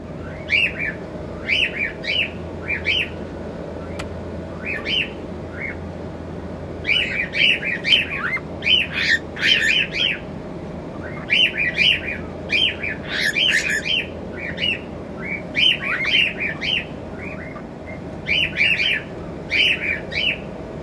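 A cockatiel gives bursts of sharp, chirpy calls, repeated in quick clusters every second or two.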